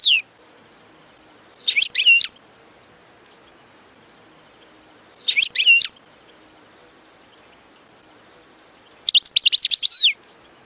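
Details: European goldfinch singing for chicks to learn, brief clusters of sharp twittering and slurred notes repeated every few seconds with quiet gaps between.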